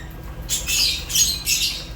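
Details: Short burst of African lovebirds, Fischer's included: after a quiet half second, loud harsh squawks come in three quick pulses.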